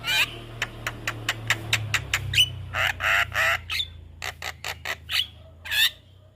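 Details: Tutor recording of a Javan myna for training young birds. A rapid series of sharp clicks leads into harsh, buzzy bursts and a few rising whistles, with a steady low hum underneath.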